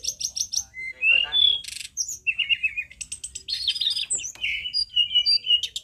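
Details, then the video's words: Powerful tledekan gunung song for tutoring caged birds: rapid buzzy rattles, then clear whistled notes and twittering chatter in quick, varied sequence. "Masteran tledekan gunung paling lantang"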